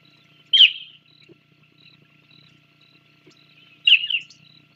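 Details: On Santa Cruz Island, the only place it lives, an Island scrub jay at the Sauces bald eagle nest, live cam, 24 January 2024, gives two loud scratchy, downslurred calls about three seconds apart, with soft high chirping behind.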